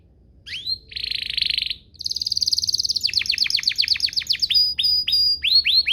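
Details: Canary lure song meant to set other canaries singing. A few rising notes lead into a buzzy trill, then a fast chattering series that breaks into quick downward whistled strokes and upward-flicking notes.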